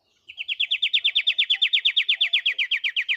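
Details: Pied triller singing vigorously (gacor), delivering a single rapid trill that runs about three seconds. Its sharp downslurred notes repeat at roughly eight per second and stay steady in pitch and loudness, with nothing else audible.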